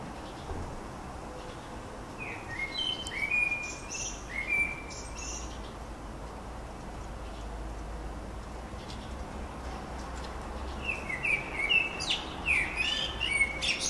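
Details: Eurasian blackbirds in old small-leaved limes, 15 May 2013, giving short, rich fluting phrases early on and again near the end, with a long quiet gap between and constant distant rumbling noise throughout.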